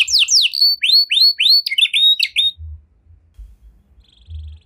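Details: Canary in the luxurious cengkok mewah style, sung to prompt other canaries: a short run of high hooked whistles and chatter, then quiet with faint low thumps.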